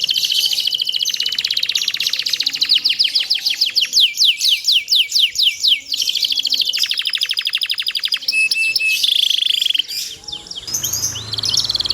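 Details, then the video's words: Canary master song for other canaries: a long, very fast buzzy trill, then a run of descending whistles, another rolling trill, a thin sustained whistle, and soft scratchy notes at the end. "cuit cuit ceer suara kenari ini ampuh buat masteran segala jenis burung kenari jadi gacor panjang"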